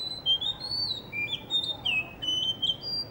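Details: Blue whistling thrush perched in front of a guesthouse under construction near a cafe in Hunza, singing a run of clear, sliding whistled notes, some rising and some falling, in quick succession for about three seconds.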